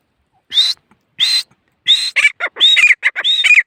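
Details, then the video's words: Partridge (teetar) calling loudly: two separate shrill, slightly rising notes, then a quicker run of sharp, ringing calls with short clipped notes between them. The sequence speeds up toward the end against a quiet background. "Teetar ki masti"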